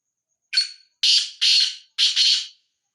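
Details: Black francolin in Sindh, Pakistan: four harsh, raspy notes over about two seconds. A short first note is followed by three longer, buzzy, grating ones, with brief gaps between and nothing else audible.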